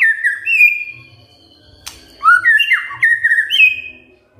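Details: White-rumped shama giving a kretekan fighter call intended to provoke a silent shama. Clear whistled notes, some sliding and some steady, are broken by a single sharp click. A rich sequence of varied whistles follows.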